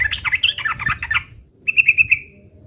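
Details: Yellow-vented bulbul in lively 'uplik-uplik' fighting song: a quick bubbly run of warbled, rising and falling notes for a second, a pause, then four short bright chirps in even succession.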